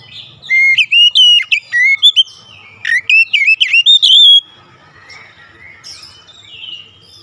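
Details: White-rumped shama in full song: a rapid run of loud, rich whistled phrases with quick sharp slurs, about four seconds long, then softer chirping from other birds in the background.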